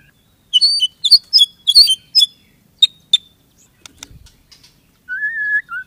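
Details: White-rumped shama singing a series of clear, paired whistled notes, then single sharp chips, ending in a long, steady, lower whistle that dips at its close.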